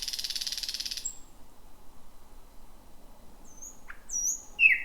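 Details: Thrush nightingale, first of 2026, singing at night near midnight from dense, jungle-like bushes: a dry buzzing rattle for about a second, a pause, then scattered high whistled and sliding notes.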